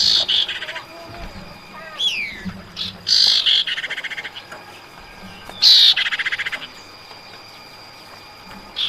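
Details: A female common iora calls the male in a lure recording, giving loud raspy bursts that break into fast stuttering rattles, with a steep rising whistle and quieter gaps between phrases.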